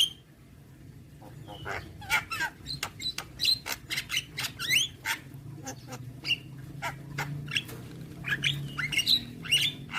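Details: Javan myna singing continuously with many fill notes: fast clicking series mixed with twisting whistles and harsh chips, dense in the middle and end, over a low hum.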